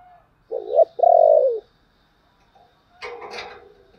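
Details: Spotted dove 'chìm' lure cooing meant to excite a decoy: one mellow phrase of a brief double note and a long sliding coo, then a short rustling, knocking burst.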